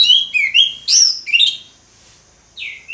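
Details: Ngeplong singing by an orange-headed thrush: a quick series of clear, falling and rising whistles packed into the first second and a half, a short pause, then one more slurred whistle.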